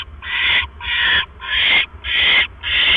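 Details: Owl on a live nest cam at 7:24 PM on 18 October 2015, during a rat delivery by the male to the female. Five loud, hoarse hissing screeches come in quick, even succession.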